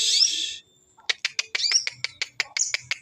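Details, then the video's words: Crested jay (sogon) lure call meant to attract other birds: a brief harsh screech, a short pause, then a dry rattle of about a dozen sharp clicks at roughly six per second. "pancingan sogon"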